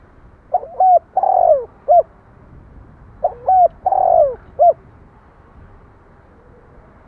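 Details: Spotted dove cooing two full phrases about three seconds apart. Each phrase has short lead-in notes, a long throaty descending coo and a brief closing note. A third phrase just starts at the end.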